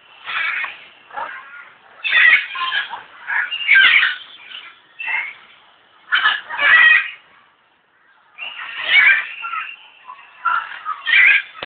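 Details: Zoo-kept African grey parrot in Alipore, Kolkata, India, calling in a series of harsh, broken squawks and rasping notes, grouped into irregular bursts with short silences between them.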